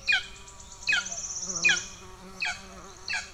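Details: Golden eagle nestlings begging from hunger in Estonia, June 2 2024, amid sibling aggression: sharp high downward-sliding cheeps spaced under a second apart, over a thin buzzing hum.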